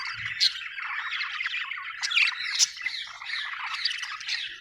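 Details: Budgie, an Australian bird, chirping happily with a dense buzzy chatter and scattered sharp squeaks, continuous throughout; a faint low rustle at the start.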